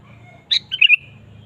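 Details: Sooty-headed bulbul singing energetically to spur a kept bird into singing; one quick phrase, a clear high note then a tumbling run of warbled whistles, with steady low background noise.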